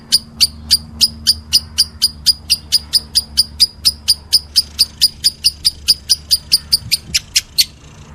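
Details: Lovebird calling meloloh: a long, regular sequence of thin, piercing chirps at about three per second, quickening slightly near the end, over a soft low hum.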